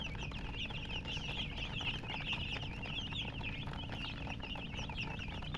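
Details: Baby chickens with colored down chirp loudly and continuously: shrill, looping peeps crowd together in an excited chorus over a low mechanical hum.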